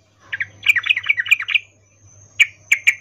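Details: 'Ngecuplik' in-heat call of a female sooty-headed bulbul calling a male: a tumbling run of varied quick notes lasting about a second, followed by three sharp separate chips.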